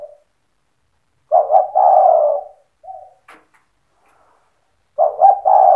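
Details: Cetretan-style Spotted dove song, used to provoke other doves into calling. Two full phrases of stuttered notes flowing into a long, soft, low coo sit about 3.7 seconds apart, with faint short coos and a small click between them.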